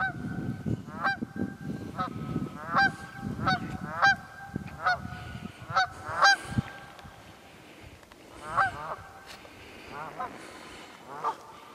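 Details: Wild geese in the Quehanna Wild Area, Pennsylvania, on 27 February: a series of loud harmonic honks repeated roughly every half second to second, several birds calling, over a low rumbling background noise.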